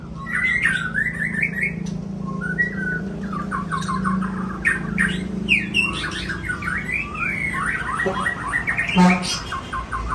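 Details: White-rumped shama of the Aceh type singing loud whistled phrases, some rising and falling, others rapid repeated notes, with sharp clicks in between, over a steady low hum and background noise.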